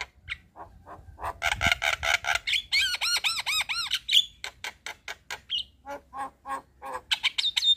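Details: Black-winged starling song recorded in the evening as a training recording for young birds: a varied run of harsh squawks, whistled notes and arched, looping phrases, mostly high and repeated in quick bursts, with a low hum underneath.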